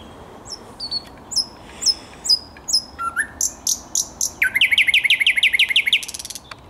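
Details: Thrush nightingale singing on 10 May 2021: high clicking notes, a low whistle, then loud rapid rattling trills of repeated sharp notes, clear against a quiet background.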